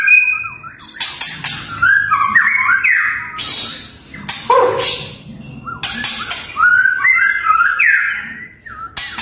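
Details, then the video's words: Fierce white-rumped shama song bursts, known as 'tembakan': quick runs of rising and falling whistles broken by harsh, buzzy, broadband bursts, repeated several times across the stretch. "MURAI BATU TEMBAKAN TERGANAS"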